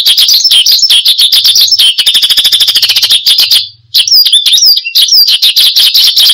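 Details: Branjangan (Horsfield's bushlark) in full song for luring and tutoring cage birds: rapid high chatter, then a fast even series of ticking notes, a brief pause, and sweeping whistled slurs with trills.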